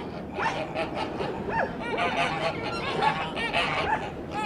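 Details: Softer, shorter nasal calls of a two-year-old white Kholmogory gander, kept on a farm for ancient breeds, come in quick bursts about twice a second against a noisy background.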